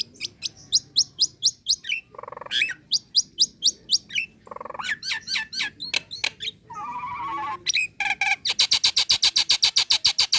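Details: Female Nias hill myna calling to a male: series of sharp high chirps in groups, a few lower nasal notes, a wavering mid-pitched whistle, and a fast buzzy rattle of rapid repeated clicks at the end.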